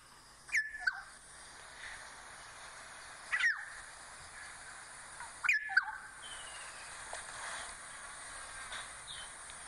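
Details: Black-headed Oriole call played back in shortened form, described as liquid and bubbly: three clear whistled, downward-sliding notes spaced about two and a half seconds apart, over steady background hiss.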